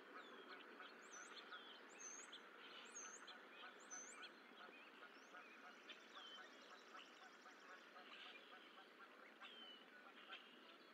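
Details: Geese at the Decorah eagle nest on 4-14-24 as the sixth and last goose egg hatches, faint honk-like harmonic calls amid a busy chorus of high, thin, whistled songbird notes and steady outdoor background noise.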